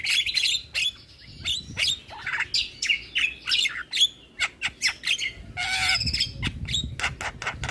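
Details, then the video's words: Javan myna lure song, full of fill-in phrases, used to get other mynas to respond: varied squawks and descending whistles, then a rapid series of short clipped notes and a raspy burst. "Semua Burung Jalak Seketika Nyaut Dengar Pancingan Jalak kebo Full Isian Ini"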